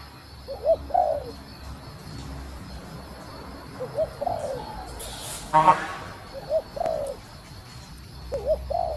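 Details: Female spotted dove cooing to rouse a male. Soft, low, falling coo phrases are spaced a few seconds apart, interrupted midway by a short burst of human voice.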